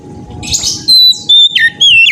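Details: Oriental magpie-robin in full song, used to prompt other magpie-robins to sing: a rough burst followed by loud, clear whistled notes sliding down and up, with a faint steady hum beneath.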